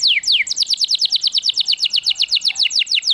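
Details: Singing canary, recorded to rouse canaries and teach them to sing: quick, even train of high downward-sweeping whistled notes, about seven per second.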